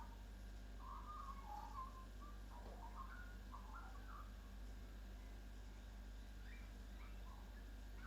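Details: Chelsea, Victoria, Australia: a local magpie at a kitchen window gives robot-like warbles recalling R2-D2, a run of quavering, sliding whistles early on, then a few faint high chirps near the end, over low steady hum.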